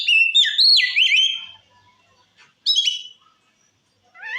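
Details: Oriental magpie-robin singing ngeplong to provoke other birds: a strong opening phrase of bending whistles and rapid warbles, silence, a brief sharp twisting note pair, then the start of a rising whistle.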